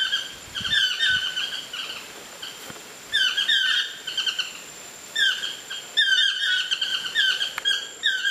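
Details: Two wild Chestnut-mandibled toucans answering each other in treetops on Costa Rica's Osa Peninsula; clustered, bright yelping phrases of quick falling notes recur about every two seconds over faint background hiss.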